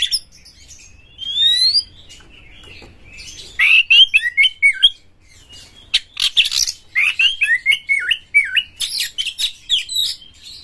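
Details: Champion Oriental magpie-robin singing hard and excitedly with tail spread, used to provoke other magpie-robins: thin rising whistles, then bursts of buzzy notes and quick zigzag whistled phrases that repeat in short runs after a quiet start.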